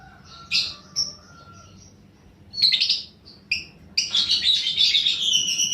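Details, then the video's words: Lovebird of the paud balibu fighter type, a lure recording meant to stimulate fighting lovebirds: sharp high chirps in scattered bursts, ending in a longer dense chattering run. "pancingan burung lovebird paud balibu fighter mp3"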